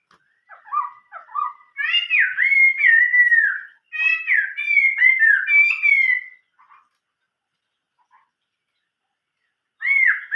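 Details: Chinese hwamei in full song, forest-style: short repeated notes building into loud rich whistled phrases that slur downward, pausing, then resuming with another bright whistle.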